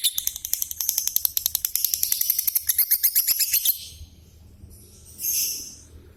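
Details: Lovebird almost nine years old in its daily calling: a quick burst of shrill repeated chirps for nearly four seconds, then a pause followed by a brief hissing rustle.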